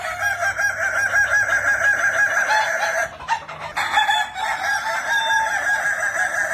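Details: Kukuak Balenggek chicken, a Minangkabau breed prized for its stepped crow, calling loudly in long runs of evenly spaced syllables, briefly breaking off midway before the tiered crowing resumes.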